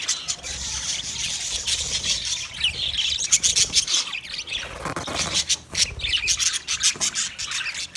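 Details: Chattering green budgerigars give a continuous stream of sharp, high chirps and warbling squawks, rising in intensity toward the end, over faint low background noise.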